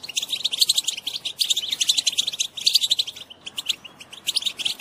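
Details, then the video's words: Female European goldfinch (Carduelis carduelis) chattering in quick, bright, tinkling bursts of high twittering notes, pausing briefly between phrases; used to stimulate males to sing and mate. "بتبتة أنثى الحسون"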